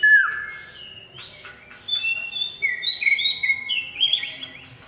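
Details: Male common iora calling a female, loud and lively. A falling whistle opens, then a run of clear high whistled notes and sliding slurs, some rising, some dropping, with a faint background hum.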